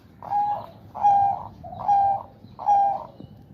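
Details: Caged male zebra dove in breeding condition, housed in a woven bamboo cage, cooing as its owner stimulates it with fingers and hand; four even, mellow purring coos roughly every 0.8 seconds, steady in pitch.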